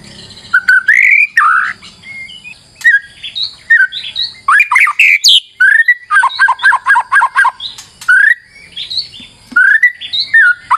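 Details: White-rumped shama singing as a lure: varied whistled and harsh phrases, a burst of rapid rattling repeated notes in the middle, then more whistled upslurs.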